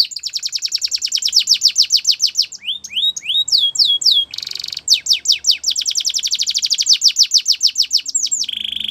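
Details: Russian canary song meant for canary training: long fast trills of descending notes broken by a few rising whistles and a buzzy burst, closing on a lower rolling buzz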